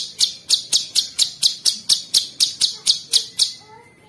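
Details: Cucak cungkok bulbul repeating loud, sharp high notes roughly four per second in an even series, ending with faint whistled tones.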